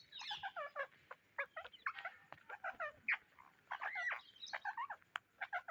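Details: Indian ringneck parrots searching for seeds give quiet, scattered harsh squawks with bright harmonic tones. Short calls come in irregular bursts over a faint background.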